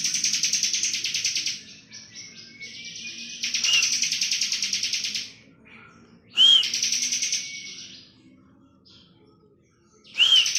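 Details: Ciblek kristal (Bar-winged prinia) in lively full ngebren song: repeated bursts of dense, high buzzy trill, several opening with a bright curved whistle note, separated by short quiet gaps, roughly sixteen phrases a minute.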